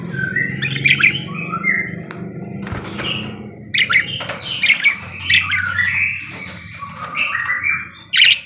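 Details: Energetic parakeet chatter of harsh squawky notes, clicks and bent whistles, nearly continuous, with a few loud knocks and a low background drone.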